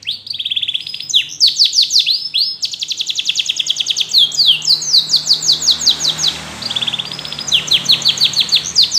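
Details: Canary song: brief slurred whistles, then a long rapid trill lasting several seconds, shifting into rhythmic sweeping notes, a short buzzy roll and further quick sweeps.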